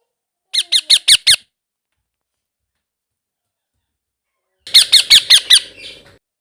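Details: Blue ringneck parrot baby calling in two bursts of about five shrill, squeaky notes each, fast and even, separated by roughly three seconds of silence; a faint buzzing trails the second burst.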